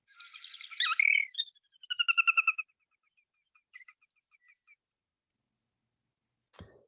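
A Sora whinnies: a high squealing start, then a fast run of about a dozen clear notes that fade and slow down. A sharp click follows.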